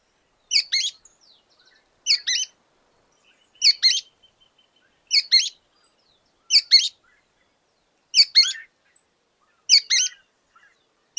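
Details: A Sooty-fronted Spinetail sings a short, high, two-part phrase about every one and a half seconds, eight times in a steady series against a quiet background.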